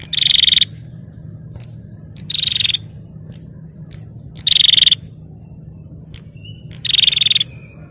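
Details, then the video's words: Female bar-winged prinia calling to provoke males: four short, harsh, buzzy bursts of rapid clicking pulses, each about half a second, spaced roughly two seconds apart, over a steady high insect-like whine and low background rumble. "Suara Prenjak Betina Gacor Tarung Pancing Prenjak Jantan Biar Gacor"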